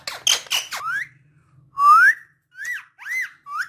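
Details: Talking pet parrot giving a few short harsh notes, then clear whistled slurs rising sharply, one longer upswept whistle near the middle and three shorter rising whistles spaced evenly toward the end.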